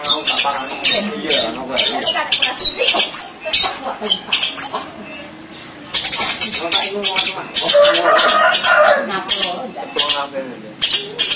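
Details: Gacor long-tailed shrike delivering full isian song as a master recording for birds reluctant to sing: dense, jumbled stream of harsh chatters, squeaky whistles and buzzy notes, briefly pausing near the middle before resuming at full intensity.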